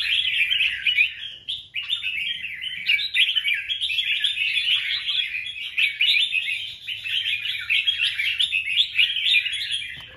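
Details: Male red-whiskered bulbul calling a female with a sustained, nearly unbroken torrent of fast, scratchy warbles and whistled notes, recorded on 24 January 2024, ending abruptly.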